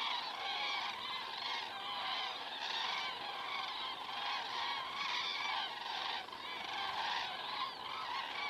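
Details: Common cranes flying over in Estonia at 19:10 on 19 September 2017, picked up by a fixed camera: a distant, continuous chorus of overlapping rolling trumpeting calls with little break.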